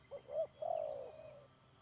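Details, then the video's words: Decoy spotted dove calling during a trapping session on 31 May 2022. One clear phrase: two brief hooked notes followed by a drawn-out, gently descending coo with a faint trailing echo. "Pikat Tekukur"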